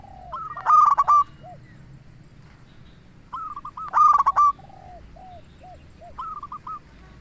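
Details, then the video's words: Local zebra dove singing strongly as a lure: two loud rolling coo phrases about three seconds apart, each followed by soft, separate dipping notes, with another dove's quieter phrase at the end. "Perkutut Lokal Gacor RAJA PIKAT Ahlinya Bikin Semua Burung Perkutut Langsung Nyaut"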